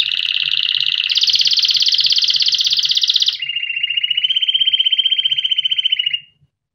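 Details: Canary singing as a training recording for chicks: a rapid high trill that steps up in pitch, then drops to a lower, steady rolling trill lasting about two seconds before stopping abruptly.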